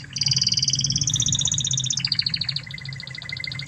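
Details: Spanish Timbrado canary of Spanish origin singing a master song for teaching other canaries: a very rapid, even trill that steps downward in pitch, then settles into a lower pulsed roll, with low hum below.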